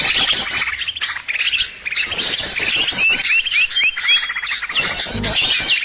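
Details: Lure recording for trapping birds: loud, shrill chirps and trills from several birds, including a series of quick rising whistled notes in the middle, over constant twittering.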